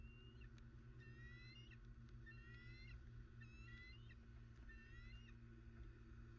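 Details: High piping whistles from bald eagles in Southwest Florida, dated 21 December 2019, delivered in quick stacked runs of rising notes about once a second, with faint clicks and a persistent low hum beneath.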